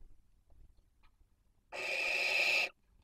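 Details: Nest-webcam recording of barn owls in Cabañeros National Park, Spain, 2023 breeding season, a toad among them: after soft scuffling, a single loud rasping hiss lasting about one second, then silence.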